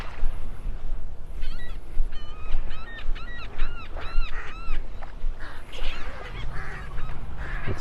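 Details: Seagulls fighting on Vanderbilt Beach, North Naples, Florida, on a cloudy Christmas Eve morning, December 24, 2023: a quick run of harsh, nasal, arched squawks, about eight in three seconds, over a steady roar of surf and wind.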